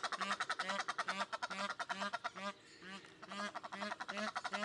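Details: Captive Egyptian goose at Upie zoo, Drôme, France, apparently displeased, gives a fast, harsh series of raspy honks, about two per second, with a low regular pulsing underneath.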